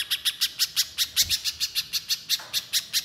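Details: Gacor nembak song of a little spiderhunter: crisp, high, clipped notes repeated briskly, roughly five each second, steady in loudness against a quiet background.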